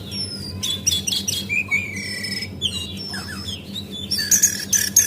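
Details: Brown jongkangan, a female Javan white-eye, heard as a lure call to spark singing: long high whistled notes and chirps in scattered bursts, ending in loud shrill twitters over a low hum.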